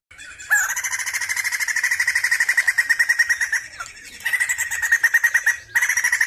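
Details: Sumatran laughingthrush singing in three loud bursts of rapid, evenly repeated chattering notes, each run held for one to three seconds with brief pauses between, no other clear sounds.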